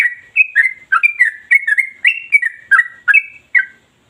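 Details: Yellow-vented bulbul (trucukan) singing nonstop in the rapid 'ropel' style, described as sharp, deep and long, offered as a lure to get other bulbuls singing. Bubbly, whistled two-to-three-note phrases, sliding and slurred, follow one another about every half second without pause.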